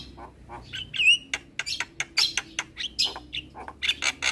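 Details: Very active champion Javan myna, recorded as a master to get listening birds singing: rapid run of clicks, harsh chattering bursts and a few sharp upward whistles, short gaps between notes.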